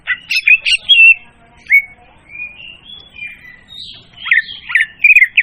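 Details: Loud, clear leafbird song used as a trapping lure: a quick chattering opening, then long drawn-out whistles that slide and waver, ending in rapid repeated notes.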